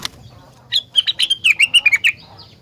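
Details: Rengganis in lively song that sets other rengganis singing: a brisk series of about ten clear, slightly descending whistled notes lasting just over a second, with a faint high note trailing after.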